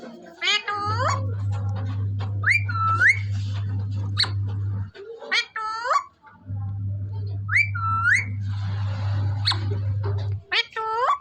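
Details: Desi Indian parrot in Punjab repeatedly uttering harsh, rising, screechy squawks in short clusters across several seconds, accompanied by a constant low hum that cuts in and out.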